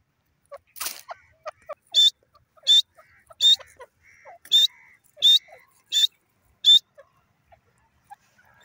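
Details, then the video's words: Francolin uttering a steady series of loud, harsh, ringing notes spaced under a second apart, with softer clicks and low murmuring notes between them. "desi teeter ki masti,jungli teeter ki awaaz"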